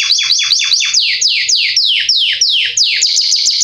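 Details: Belgian canary singing strongly as a tutor for young birds, delivering a series of loud descending sweeps repeated about three per second, finishing with quick high chips.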